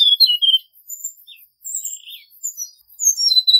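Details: Male Hill Blue Flycatcher singing a forest-voice lure song for bird trapping: bursts of high sweet whistles and brief buzzy slurs, with short pauses between phrases.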